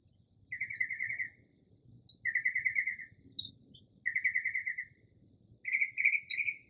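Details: In early spring at night, a Northern mockingbird imitates other species with buzzy rattling trills repeated about every two seconds, interspersed with faint high chips, against a soft low background hum.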